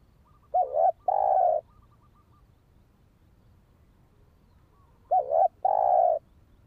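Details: Spotted dove calls used for luring and training a decoy bird: a short looping note followed by a longer steady coo, the two-part phrase given twice about four seconds apart, with faint softer notes alongside.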